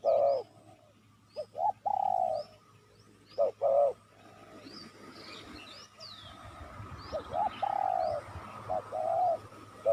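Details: Lure call of the spotted dove for attracting wild doves: scattered low, burry coos, some short and clipped, others longer and flat, separated by pauses filled with hiss and faint high bird chirps.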